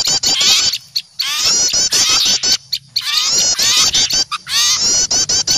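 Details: Agitated small birds mobbing an owl they fear, recorded as a lure sound; waves of shrill, stacked chattering calls come in bursts about every one to two seconds, separated by quieter moments.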